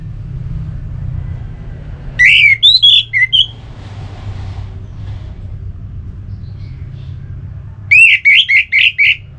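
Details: Orange-headed thrush, its song used to set kept birds singing: a quick series of clear whistled notes, a long gap over low background drone, then another burst of five rapid, evenly spaced whistles.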